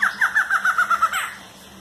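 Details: Barred antshrike giving a close, loud run of eight or nine nasal downslurred notes at an even quick pace, finishing with a rising note.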